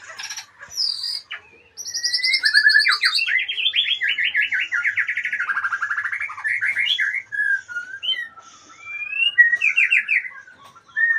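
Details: Magpie-robin, a retired champion, opens with high thin notes, then rapid rolling trilled phrases, followed by quieter whistles and a closing burst of quick trills.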